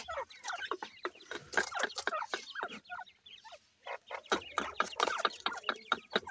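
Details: Female Grey Francolin feeding her chicks gives a busy, unevenly paced run of short, soft clucks and chirps, with a brief lull in the middle before the chatter resumes.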